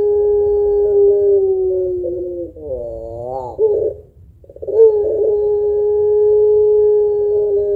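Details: Active puter pelung spotted dove, its drawn-out song meant to provoke other birds into calling: a level low coo, a rippling arched phrase, a short silence, then a long steady coo carried for about three seconds.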